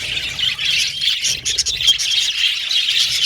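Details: Male blue and violet budgerigars in an aviary colony, a dense, continuous chatter of high chirps, squeaks and warbles overlapping with no pauses, busy and steady throughout.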